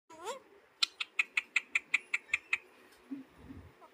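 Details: A pet Alexandrine parakeet, said to be saying "Mithu Mithu", gives a short rising nasal note, then a quick run of about a dozen sharp, even notes, roughly six per second.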